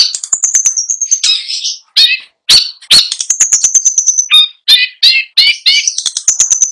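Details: Long-tailed shrike singing a rich mimicry-filled song: rapid ticking trills broken by harsh chattering phrases and sharp clicks, changing quickly from phrase to phrase.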